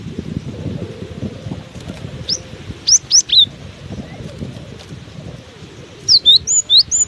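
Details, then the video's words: Cinereous tit singing on through strong wind: two bursts of high, sharp whistled notes, the first a brief group near the middle, then a quicker run of five or six notes at the end, over steady low wind roar. "Diterpa angin kencang! burung gelatik batu ini tetap gacor"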